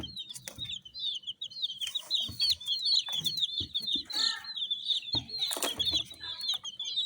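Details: A crowd of coloured chicks cheeping steadily, thin shrill downslurred peeps overlapping, with brief bursts of handling noise and rustling.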